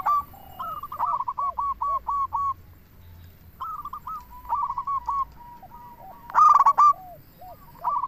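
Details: Local zebra dove in active song to lure others: a long chain of quick pulsed coos, a shorter repeated phrase, then one loud rolling burst, with softer drooping notes from other doves alongside.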